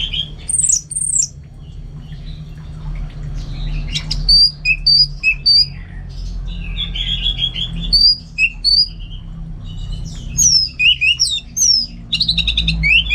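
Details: Caged orange-headed thrush in North Bali, Singaraja, in energetic song: rapid varied whistles, slurred upswept notes and chattering phrases in quick irregular bursts, very high and clear above a low background hum.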